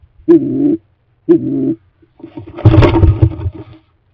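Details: Stock dove at a cleaned nest box ahead of the breeding season: two low, hollow coos, followed by a burst of broad rustling and flapping noise that masks a further coo.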